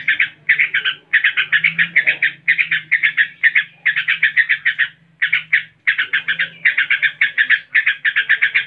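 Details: Ngebren-style song of a yellow-vented bulbul, a long chain of rapid, harsh, rattling note bursts grouped in tight clusters with brief gaps, delivered loudly and continuously; a soft low hum lies underneath.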